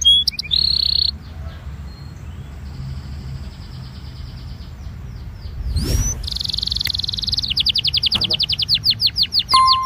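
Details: Belgian canary song for warming up canaries, mostly quiet at first with a brief buzzy trill and a single loud sweeping sound, then a strong rolling trill and rapid repeated notes in the final seconds.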